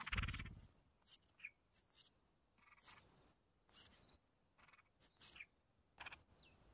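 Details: Mother red-whiskered bulbul feeding her chicks: a brief low rustle at the start, then repeated high, thin quavering squeaks in short bursts with occasional lower notes, roughly every half to one second.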